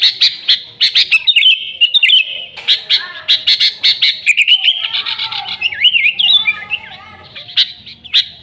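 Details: Sooty-headed bulbul in full voice, used to lure bulbuls. Fast chipping gives way to wavering, bubbly whistled notes in the second half, before the chips return.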